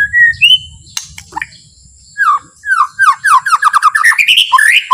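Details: White-rumped shama singing softly and slowly to excite other shamas into song: a few scattered whistles, then a fast, accelerating series of short down-slurred notes repeated rapidly toward the close.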